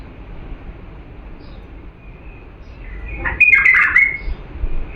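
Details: Song of an authentic Diyala bulbul meant to teach young birds: a faint high note, then a bright, warbled whistled burst lasting about a second, with a softer trailing note.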